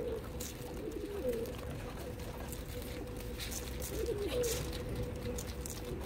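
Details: Pigeons fed in Dubai, United Arab Emirates, giving two bursts of rolling, wavering coos about three seconds apart, each a short run of rising and falling notes, over a steady background hum.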